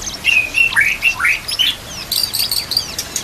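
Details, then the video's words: Murai batu, or white-rumped shama, in a training recording with mimicked fill-ins and trickling water: a few loud swooping whistles, then a flurry of very high, sharp squeaky notes. "MASTERAN MURAI BATU ISIAN komplit"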